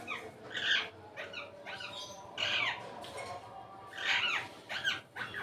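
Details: Indian ringneck parrot let out of its cage utters a run of rasping, squawky calls of varied pitch, some clustered in quick pairs, with a faint low hum behind.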